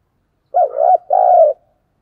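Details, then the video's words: Decoy spotted dove giving its calling song to draw in wild doves: a rolling, bubbling double coo followed straight away by one long, steady, mellow coo. Nothing else is heard. "Tiếng cu gáy hay nhất/ Tiếng cu mồi thúc bổi và gáy gọi"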